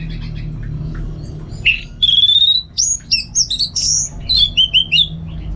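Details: Energetic caged Orange-headed Thrush from North Bali delivers a rich, rapid phrase of varied whistles: a rising note, a long sustained whistle, then fast sharp chirps and trills, heard above faint low background hum.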